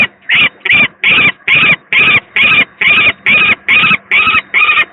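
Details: Sickly second peregrine falcon chick at a Gdynia, Poland power-plant nest, 18 May 2023, recorded off a live stream: eleven hoarse, rasping cries in quick regular succession, a little over two per second, with a soft electrical hum underneath.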